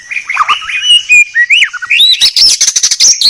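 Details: White-rumped shama in a clear masteran tutor recording, giving a rich, varied song of rising and falling whistles and quick chattering notes that speeds into a dense, rapid burst, over a faint, steady high background hum.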